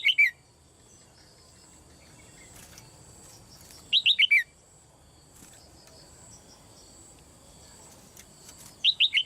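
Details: A caged female red-whiskered bulbul calling to get other birds singing strongly. Three short bursts of rapid, descending whistled notes, spaced about four seconds apart, with faint steady background noise.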